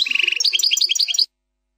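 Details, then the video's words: Brief plak mine song of a European goldfinch, free of errors: a quick, even trill of repeated notes leading into a series of higher, bouncing chirped syllables, lasting just over a second. "chant plak mine ,canto del jilguros plak mine,غناء حسون بلاك مين بدون غلاطات"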